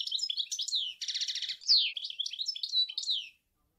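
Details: European goldfinch, Sour El Gouzlane song: continuous high twittering with slurred down-sweeping notes and a grating buzzy trill in the middle, then stopping abruptly.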